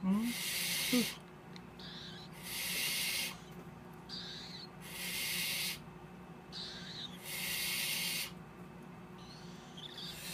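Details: Hand-raised tropical screech owlets, a trio hatched in March 2014, produce a repeated sequence of harsh hissing bursts, each about a second, separated by quieter gaps holding softer rustles.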